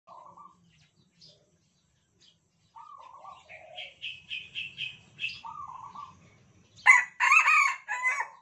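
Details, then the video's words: Captive Sumatran red junglefowl, kept since a day-old chick and tame in its cage, crowing in turn with cage-mates. Soft tonal notes from another bird come first, then a loud, harsh, broken crow of several rasping syllables ends the clip. "Ayam Hutan Merah kokok bersahut-sahutan"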